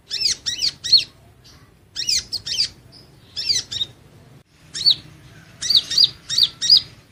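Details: Van Hasselt's sunbird sings a training song of clustered high, bright chirps in groups of three or four, with short silences between the groups.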